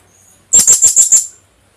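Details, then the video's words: Philippine hanging parrot call for luring: five rapid, evenly spaced, very high shrill chips delivered within about three quarters of a second. "Kulasisi/Philippine hanging parrot sound.. 100% effective pantawag"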